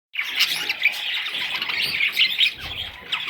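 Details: Baby parrot chicks giving a dense, continuous chorus of high, thin chirps and short squeaky notes that overlap without pause, with several birds calling at once.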